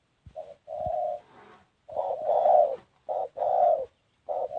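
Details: Spotted dove giving an unusual cooing phrase: a short coo, a longer drawn-out one, a pause, then two swelling hollow coos with a softer note between, low and mellow in tone.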